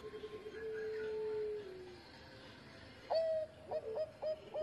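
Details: Engkel-style zebra dove song from a one-time champion: a long held coo that fades downward, a gap, then bright clipped coos, set against steady background noise.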